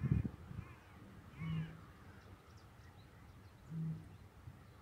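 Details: At dawn in the reedbeds of Newport Wetlands National Nature Reserve, a rare Eurasian bittern gives two deep, hollow, foghorn-like booms about two seconds apart, with faint dawn-chorus chirps high in the background.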